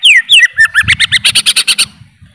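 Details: Greater green leafbird singing: a few descending slurred whistles, then a rapid run of about a dozen evenly spaced bright chattering notes lasting over a second.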